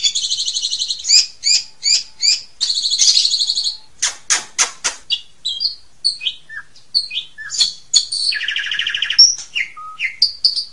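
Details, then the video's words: Asian pied starling delivering its complete 'isian' song: buzzy rattled bursts and sharp clicking notes, scattered short chirps, and a harsh grating phrase near the end, all high-pitched and irregularly spaced. "Kicau Burung JALAK SUREN isian KOMPLIT"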